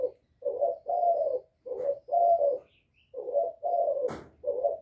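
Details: Low, throaty cooing of a spotted dove calling to provoke rival males, grouped hoots of rolling notes separated by brief pauses, one sharp knock late on and faint distant chirps.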